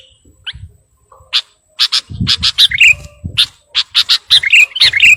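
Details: Sooty-headed bulbul singing vigorously to call a rival: sharp chattering bursts mixed with short liquid whistled warbles, quickening toward the end, over soft low rumbling.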